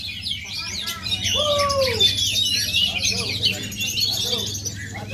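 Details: Aceh-origin oriental magpie-robin in full song: rapid, jumbled high twittering and whistled phrases, with one lower, drawn-out falling whistle near the start and steady low background hum.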